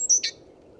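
A Great Tit gives a brief call: a thin, very high whistled note, then a quick harsher, buzzier note. Faint low background hum underneath.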